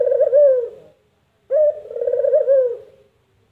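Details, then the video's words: Characteristic call of the puter dove, often mimicked as "mpuk jerruuuu": a warm, rolling coo fading away, a short silence, then a clipped note and a second long throaty coo sliding down at its end. "Suara Burung Puter Empukjeruu"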